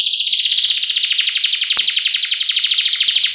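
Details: Female canary calling a male with vigorous song in the isian filler style, a lure and tutor recording: one continuous, very fast, high buzzy trill pulsing steadily throughout.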